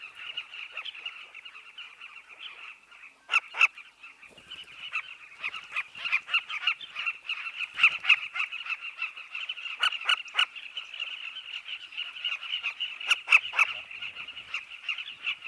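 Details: Southern carmine bee-eaters (Merops rubicoides) at their riverbank nesting colony, many calling at once in a steady chorus of throaty, rolling, overlapping trills with a few sharper, louder notes breaking through.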